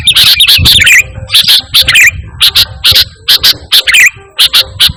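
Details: A sooty-headed bulbul sings energetically, free of mimicry, as a training and lure sound for pet birds. Short, sharp chirps and warbled notes repeat roughly once a second, a few of them slurred downward.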